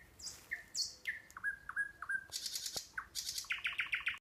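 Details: Varied nightingale phrases recorded near a sanatorium in Russia's Kursk region: high slurred whistles, falling liquid notes, a harsh burst, then a fast run of repeated clipped notes.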